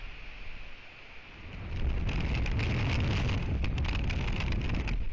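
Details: Steady rain patters on a surface, growing louder and denser after about two seconds, with low rumbling underneath and no animal calls.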